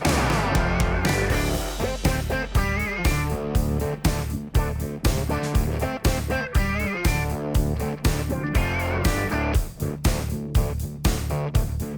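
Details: Strummed guitar music with a steady beat fills the recording, and no animal sounds can be picked out.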